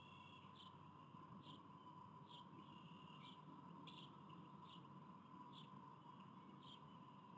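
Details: At a Davenport, Iowa nest, 29 April 2023, a bald eaglet hatched that month is fed by an adult female. Evenly spaced squeaky chirps sound about once a second, with a steady background drone.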